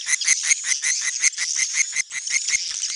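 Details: Swiftlet netral (neutral) sound: rapid twittering chirps, several each second and fairly even in pitch and spacing, with a thin steady high tone running underneath.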